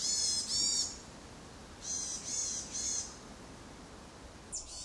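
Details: Varied tit seen on Mount Tsukuba and in Moriya City, Ibaraki Prefecture, Japan: two bursts of high, nasal, buzzy notes, then three similar bursts after a pause, ending with a brief sharp note.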